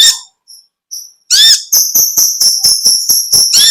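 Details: Olive-backed sunbird, called kolibri ninja or konin, singing vigorously in the long chattering ngekek panjang style. A few scattered thin notes lead into a loud run of sharp, very high chipping notes repeated rapidly and evenly, about two per second.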